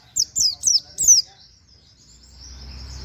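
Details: White-eye (pleci) giving 'nembak' canary-like 'wit wit' notes for songbird tutoring. Four quick, piercing, high downslurred whistles come in a row, then fade into a soft, thin twitter.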